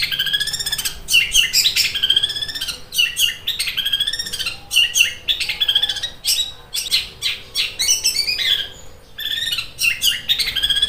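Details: Long-tailed shrike; fighting song; aggressive fighting song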